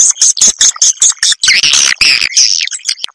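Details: Swiftlet calls used to summon and attract swiftlets: a quick run of about seven sharp, high chirping pulses, then denser, buzzy twittering that fades into a few last clicks.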